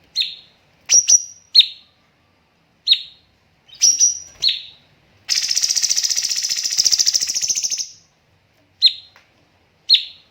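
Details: Master recording of cucak cungkok for training birds, with pauses and rapid bursts: sharp high whistles, some paired or doubled, then a harsh, rapid buzzing rattle of about three seconds, followed by more spaced whistles.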